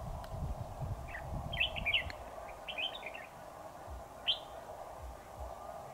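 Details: Red-whiskered bulbul decoy singing during a trapping session on 7 October 2019, luring a dominant rival into a trap: short warbled, chirpy phrases in scattered bursts, with a steady low hum and rustling underneath.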